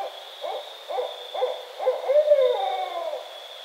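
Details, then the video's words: A barred owl (Strix varia) gives four quick, low hoots, then a longer wavering hoot that slides down at the end, over a steady high whine. "Barred Owl (Strix varia)"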